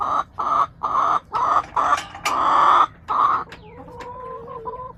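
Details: Backyard hens on March 30, 2024 give a loud run of rhythmic bawking clucks, seven strong harmonic bursts in about three and a half seconds, then a softer wavering tone that trails off into quiet.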